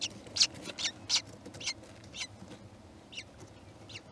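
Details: Kestrel at the nest as the young hatch, giving a series of short, high, rasping notes, louder at first and fading later, against a noisy background hiss.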